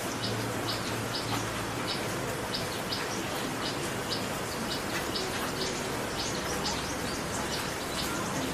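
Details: Common tailorbird, a resident bird hopping around a backyard in West Bengal, India: short, sharp high chips repeated in quick series, set against a constant loud hiss of background noise.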